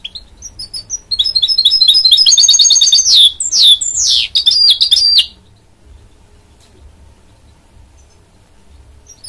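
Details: A goldfinch mule, goldfinch crossed with canary, delivers twittering notes that build into a loud rapid trill, then several sweeping downward slurred whistles, before falling silent for the last four seconds.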